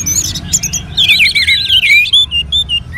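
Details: Captive orange-headed thrush from northern Bali, Indonesia, singing to colony birdsong playback; a dense jumbled warble of high chirps sliding downward, then short separate whistles.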